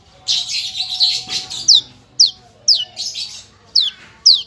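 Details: Javan bush lark, branjangan of the parva form, in a masteran recording full of isian and nembak bursts: soft buzzy chatter gives way to sharp high descending slurred whistles repeated about every half second.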